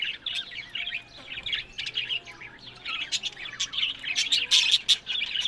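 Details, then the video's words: Captive budgerigars in Larkana, Sindh, chirping and warbling in quick, uneven bursts, with high squeaky notes growing louder and denser toward the end. "Buddies Parrot Voice"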